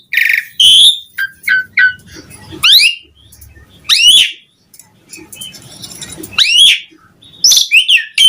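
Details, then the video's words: Asian pied starling in energetic full song, used to lure other starlings into singing: loud slurred whistles, rising and falling sweeps and harsh notes in quick bursts separated by short pauses. "Suara Jalak Suren Gacor buat Pancingan Burung Jalak Agar cepat Bongkar Isian"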